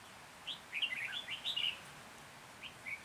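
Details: Red-whiskered bulbul decoy singing to attract wild birds for trapping, Hoa Binh, Vietnam, 14 January 2021: a rapid tumbling phrase of bright slurred whistles, followed by two brief isolated notes.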